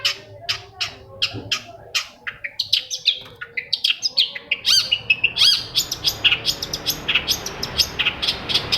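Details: Long-tailed shrike song meant to coax a silent shrike into singing: a dense stream of sharp, scratchy high notes and chips in rapid succession, with steady background hiss growing toward the end.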